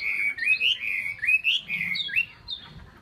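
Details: Chinese hwamei singing loud, liquid, rising and falling slurred whistles in close succession, fading into softer high notes.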